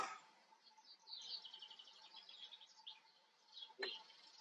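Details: Common kestrel in the Eifel, Germany: a rapid run of sharp, high, slightly harsh notes, about eight per second for over a second, with faint chirps around it and a short knock near the end.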